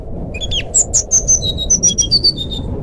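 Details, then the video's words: Jungle flycatcher singing as a lure for a bird that will not sing: a loud, fast series of clear high whistled notes, some sliding, pulsing several times a second, with faint low background noise. "suara burung sikatan rimba nyuling pancingan SRDC macet bunyi"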